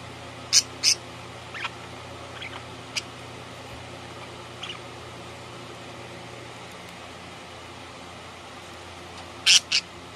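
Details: A pet budgerigar indoors gives a few sharp, high chirps: a pair near the start, scattered single notes, then a quick double chirp at the end, over quiet room hum.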